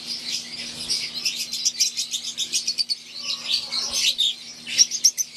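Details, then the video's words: Fischer's lovebirds of the wild green type, housed in an aviary with Euwing lovebirds, keep up quick high chirps in a fairly even pulsing rhythm. A few sharper squeaks stand out near the end, and a faint hum runs underneath. "Wild type Fischer green & Euwing | Relaxing Sound | Birds Chirping"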